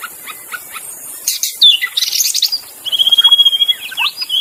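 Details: Wild magpie-robin in forest: a few soft notes, then loud sweeping whistles and a long sustained pulsing trill, with high insect buzz throughout.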